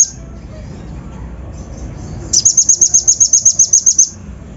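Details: Kolibri ninja (Van Hasselt's sunbird) giving a coarse, fill-in lure song to provoke untrained birds: a quiet stretch, then a sudden fast string of about a dozen high, metallic ticking notes.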